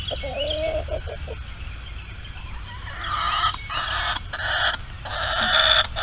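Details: Barnyard hens screaming around the coop while laying eggs: a few short clucks, then drawn-out harsh nasal squawks in loud overlapping bursts, getting louder toward the end.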